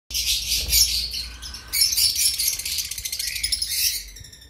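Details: Two-week-old cream cockatiel chicks kept as pets give harsh, raspy, buzzing calls high in pitch, in rapid pulsed bursts with a short pause near the middle. No other sounds stand out.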